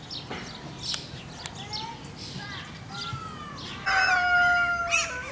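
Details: Vorwerk chickens (Gallus gallus domesticus) at Van Blanckendaell Park, Tuitjenhorn, Holland, give scattered short rising squawks and clucks, then a long, drawn-out, even-pitched call near the end, over a low farmyard murmur.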